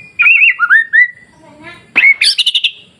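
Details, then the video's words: White-rumped shama masteran recording meant to provoke other shamas: a brief wavering whistle and rising notes, then a burst of high chattering trilled notes. "SUARA MASTERAN KICAU MURAIBATU Pancing Murai Lain yang Takut Jadi Emosi dan gacor"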